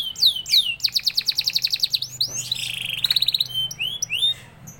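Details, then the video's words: Canary song used as training material for caged canaries: rapid repeated high chips in a steady trill, a brief rough buzzy section, then a fast high rattle and a few rising whistles, over a faint low hum. "LANGSUNG NYAUT GACOR DOR KENARI PAUD jadi cepat NGEROll IKUT GACOR NGEPLONG MANTAP"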